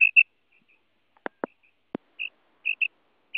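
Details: Female common quail call, as used to lure quail for hunting: a few brief high paired notes before and after three sharp clicking knocks.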